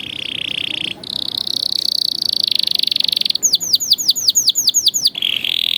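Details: Canary training song: a sustained rolling trill, a higher steady trill, then a run of about eight rapid downward-swept whistles, ending in another buzzy roll.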